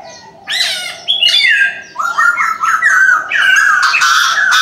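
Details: Chinese francolin morning call, loud and close: harsh squawking notes in a broken series, with rasping descending tones and a grating, noisy texture.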